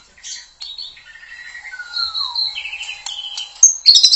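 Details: White-rumped shama (murai batu) delivering long sustained whistles at varying pitches, one sliding steadily downward, then fast rattled notes and sharp high chips that grow louder toward the end.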